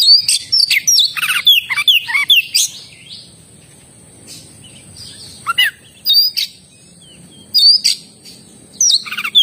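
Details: Oriental magpie-robin delivering a burst of loud whistled and scratchy notes over about two and a half seconds, then quieter spaced single calls and short rising whistles, with a constant thin high hum.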